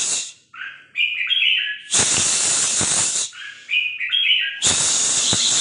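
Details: Red-whiskered Bulbul decoy bird for hunting in 'ché' song style: stepped, bubbly warbled phrases alternate with long loud bursts of hissing, rushing noise.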